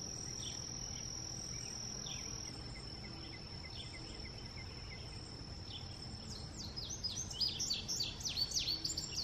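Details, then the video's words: Faint, scattered high chirps for several seconds, then an indigo bunting bursts into loud, rapid, sharply sweeping notes near the end, set against a continuous thin whine and low rumble. "Indigo Bunting ---sounds"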